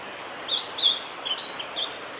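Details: Blue-and-white flycatcher, a male, recorded 5 May 2018 on the Kanazawa forest road at Miyagase Lake, Japan, singing a varied phrase of high whistled notes that jump up and down in pitch, about eight short notes over under two seconds.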